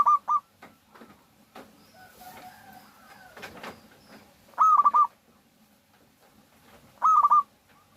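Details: Three pulsed cooing phrases from a local zebra dove used as a lure to get other doves singing, spaced about two to four seconds apart, with faint chirps of other birds between them.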